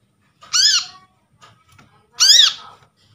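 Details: Lure from a trapped brown-throated sunbird, used to attract birds and spur quiet sunbirds into calling: two loud, raspy, arched notes about one and a half seconds apart, with faint rustles between.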